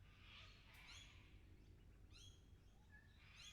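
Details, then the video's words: Harsh, raspy lorikeet screeches open and close the passage, with short stacked chips and a brief whistled note between them, all over low background rumble; captured as a 360-degree VR recording. "360 VR sounds of lorikeets"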